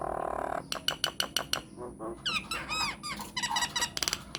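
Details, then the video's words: Myna lure song meant to draw replies from other mynas: a buzzy opening, a run of sharp clicks, then looping metallic rattles and squeaky whistled notes in quick succession. "PANCINGAN / MASTERAN SAKTI UNTUK SEMUA JENIS JALAK, JALAK APA SAJA AKAN NYAUT | MYNAH BIRD"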